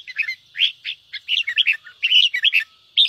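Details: Red-whiskered bulbul giving fast 'ché' chattering, used to fire up and stimulate other birds to sing; dense bursts of short, scratchy chirps and squeaky notes in quick clusters with brief gaps, over a faint steady high tone.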